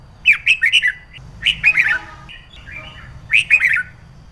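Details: Female red-whiskered bulbul used to provoke males into song, kept as a cage bird: three groups of rich, slurred, descending warbled notes, somewhat harsher and squawky, with a low background hum indoors.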